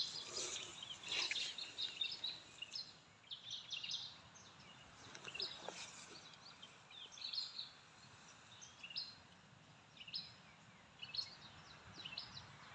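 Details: Young Oriental magpie-robins, in or near a nest in an oil palm tree near a garden, give short, high, rasping 'cher' begging calls in scattered bursts. A parent is nearby, with other faint bird chirps and a steady rural hiss.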